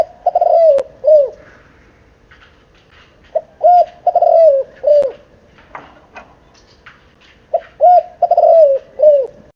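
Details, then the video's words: Cooing of a seven-month-old spotted dove, 'kích bổi' style: three groups of deep, rounded, falling coo notes, each group three to five notes long, separated by brief quiet gaps with faint background clicks. "Tiếng chim cu gáy,gáy kích bổi ,nghe là gáy"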